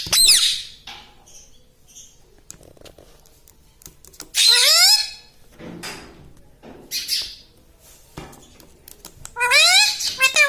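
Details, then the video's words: Indoor pet parrot described as talking like a human and saying "mummy"; sliding harmonic speech-like phrases near 4.5 and 9.5 seconds, broken by hissing squawks and faint room knocks. "Talking Like a Human - Mummy Bolne Wala Tota - Talking Parrot"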